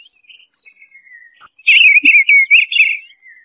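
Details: Eastern bluebird song, opening with faint scattered notes before a loud run of rapid warbled, gurgling syllables that trail off into a thin falling whistle.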